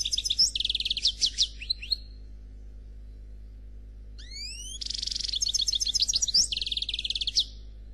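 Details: European goldfinch, black Khalwi style, singing a faultless song: two bursts of rapid, high twittering and trilled notes, with a pause holding a few rising whistled sweeps before the second burst of chattering phrases.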